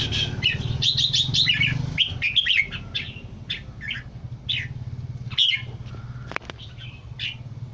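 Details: Red-eyed bulbul giving loose series of short chirpy, warbled notes, busier at first then sparser, over a constant low engine-like rumble and a few sharp clicks.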